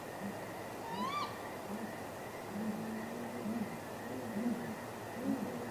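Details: Great grey owls courting at midnight on 23 April 2019, possibly mating, calling off camera near a nest on a live cam: a series of soft, deep hoots roughly every half second to second, one brief rising whistled note early, steady background hiss.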